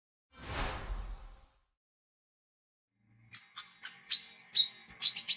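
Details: Olive-backed sunbird in lively gacor form, chirping in ngriwik and ngecret styles and learning ngeplong, used as a lure; a broad rushing noise burst comes first, then a quick run of sharp, high chirps with a steady faint hum beneath.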